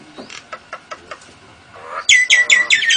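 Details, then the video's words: Nias hill myna singing with lovebird and canary imitations: a run of soft, evenly spaced low notes, then loud, sharp, high chirps repeated rapidly in the last second. "Kicau Jalak Nias Gacor Istimewa Variasi lovebird & Kenari AF NGEKEK"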